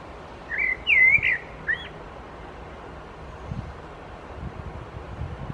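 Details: In Helsinki, Finland, during July 2024, a Common Blackbird sings in the background as a Hooded Crow preens; a brief burst of warbled whistled notes in the first two seconds, then only low rumbling background noise.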